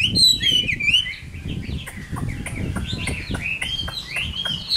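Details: Caged wild-caught Chinese hwamei. A bright, fast whistled trill starts the clip, followed by softer rambling warbles. Clicks, knocks and a low rumbling background sound throughout.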